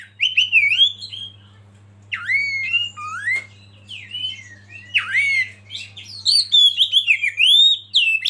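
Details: Oriental magpie-robin (kacer) from a masteran training recording, singing bursts of rich whistled phrases with dipping, swooping and rising notes, separated by short pauses, over a faint steady low hum.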